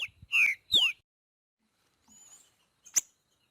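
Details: Wild green-winged saltator giving part of its boiadeiro-style song: two loud, down-slurred whistles in quick succession, then a soft high note and a sharp single chip after a pause.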